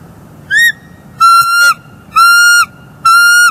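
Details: Bald eagles at a northeast Florida nest, early morning of 24 December 2020, restoring the nest; a short rising squeal then three long even whistled notes, about one a second.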